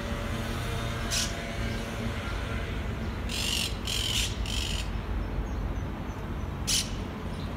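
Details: Monk parakeet outside an apartment in Malaga, Spain, gives harsh, grating squawks: a single burst, a quick run of three, then one more, over a steady low rumble of traffic.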